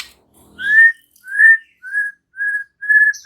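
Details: White-rumped shama (murai batu) answering in energetic gacor style: five clear whistled notes on a level pitch, each about half a second apart, loud and clean with no other sounds.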